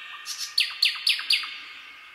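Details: Nightingale song in a night forest, a short burst of about five sharp, descending notes repeated in quick succession, each sliding steeply downward.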